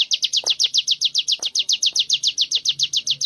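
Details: Sunda warbler in a 'ngebren' training session, a rapid run of high, slurred descending notes at roughly four a second, steady and unbroken, with a few soft clicks in the background.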